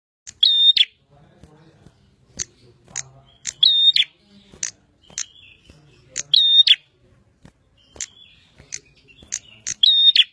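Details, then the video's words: Energetic bar-winged prinia song, locally prenjak: loud ringing double notes recurring every couple of seconds, separated by crisp high ticks and short chirps, with a quiet low hum underneath. "Burung prenjak gacor"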